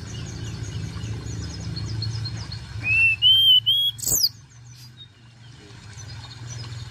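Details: Javan Shortwing call giving a quick run of three rising, thin whistles, then a burst of high twittering notes, over a low steady rumble.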